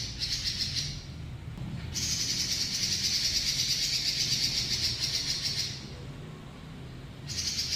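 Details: Long rolling song of a robin: a continuous high, rapidly pulsed buzzy trill sustained for several seconds, with brief gaps where only low background rumble remains before the trill returns.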